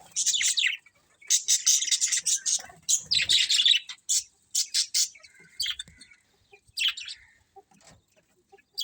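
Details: Colourful colony budgies give bursts of harsh, buzzy chattering, grouped in rapid runs of short chirps separated by brief silences, thinning out toward the end.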